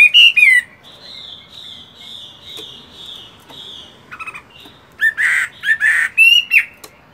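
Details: Chinese hwamei, a caged fighting bird in moult, at morning voice practice: a loud slurred whistle opens, then a quiet steady thin tone, then loud rising and falling whistled phrases near the end.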